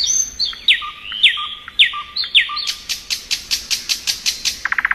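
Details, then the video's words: Thrush nightingale in spring, giving four loud swooping slurs each followed by a low note, then an accelerating series of loud clicking strokes that ends in a rapid buzzy burst. "Nightingale Song.(Luscinia)."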